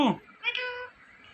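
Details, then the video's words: Indian ringneck parrot talking indoors: a short falling syllable, then a drawn-out nasal, harmonic meow-like word lasting about half a second. "Indian Ringneck Talking Parrot"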